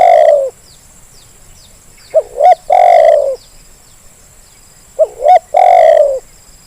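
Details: Zebra dove call used as a lure to get reluctant birds calling: a clipped opening coo, then two quick rising notes and a long, loud, slightly falling coo, the phrase recurring about every three seconds, with a steady high electronic hum behind.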